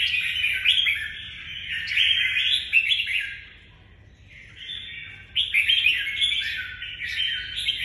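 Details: Red-whiskered bulbul kept as a songbird, delivering its 'nhảy cóc' leapfrog-style song: loud, continuous runs of liquid, chattering whistles, a brief quieter gap midway, then another energetic warbling burst; low background rumble.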